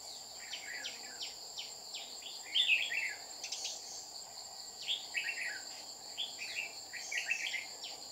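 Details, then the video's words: Red-whiskered bulbul decoy singing to lure rivals during trapping in Dong Nai on 30 July 2019; bright, warbled phrases of quick rising and falling notes repeated in bursts, over a steady high insect drone. "Bẫy chào mào Má lỡ xuống dọa mồi liên tục"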